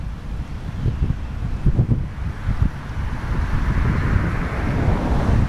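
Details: Heavy wind buffets the microphone, making a loud low roar that swells toward the end, and no animal calls stand out.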